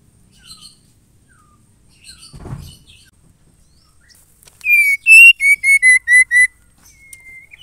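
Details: Female white-rumped shama calling to a male. After near silence and a brief dull thump, a run of six loud pure whistles comes, each slightly lower than the one before, at a quick, even pace. A faint short whistle follows.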